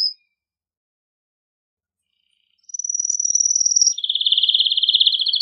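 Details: Excited male canary song meant to encourage canaries to mate. Near silence for over two seconds, then a high fast trill that drops into a lower, buzzy rolling trill.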